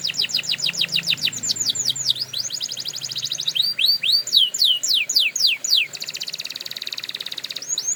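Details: Canary training song: fast downslurred notes in quick rolls, looping swoops, a buzzy sustained trill, then more swoops near the end.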